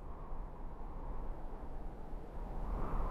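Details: Low, steady rumble like distant traffic or wind, with no animal calls heard.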